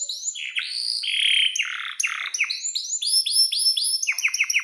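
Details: Lively canary song for young canaries learning to sing: buzzy warbled phrases, then repeated arching whistled notes and a closing run of sharp falling chirps.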